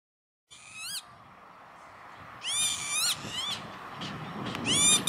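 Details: Northern lapwing on an industrial estate near Veenendaal, the Netherlands, 28 May 2013: wheezy, harmonic calls swooping up at the end, one short, one drawn-out, then another starting, over steady background hiss.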